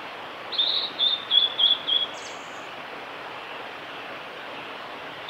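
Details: Male blue-and-white flycatcher singing at Lake Miyagase along the Kanazawa forest road, Japan, on 5 May 2018: a quick run of five high, clear whistled notes in about a second and a half, then a long pause, over a steady broad hiss.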